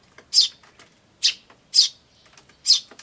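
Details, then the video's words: Eurasian tree sparrow chick calling, adults nearby, recorded 10 May 2013: four clear high chirps spaced about half a second to a second apart over a quiet background. "スズメと雛の鳴き声(5) Sound of Tree Sparrows and chicks (5)"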